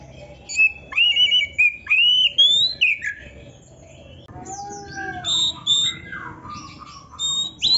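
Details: Oriental magpie-robin with a varied, full song, played to train songbirds: a series of loud rising whistled phrases, then quieter mixed whistles and chatter after a short lull.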